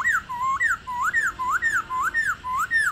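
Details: Female black-throated laughingthrush making its 'ro' call to rouse captive males: clear whistled notes that rise then fall, repeated steadily about twice a second in a quiet setting.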